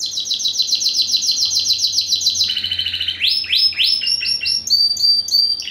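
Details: Spanish Timbrado × wild canary, first generation bred in 2015, opens with a smooth even high trill, drops to a lower rolling tour, then breaks into choppy rising notes.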